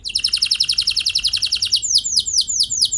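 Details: Canary song played as a lure so other canaries answer: an evenly pulsed high buzzy trill for nearly two seconds, switching to slower, looping downslurred whistles.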